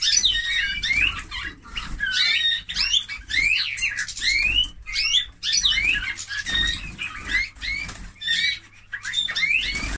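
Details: Eurasian bullfinch singing: dense bursts of rapid, varied notes, some whistled and rising, others creaky and buzzy, in phrases about a second long separated by brief pauses, over a steady low hum.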